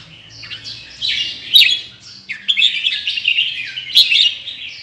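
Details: Red-whiskered bulbul, Indonesian bird with large red patch, delivering a run of dense chattering and warbling phrases with quick high peaks, over a faint low hum.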